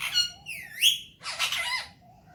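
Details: Alexandrine parakeet kept as a talking pet parrot, enjoying morning time; a rising whistled note then a burst of harsh chattering, with a quieter whistle at the start.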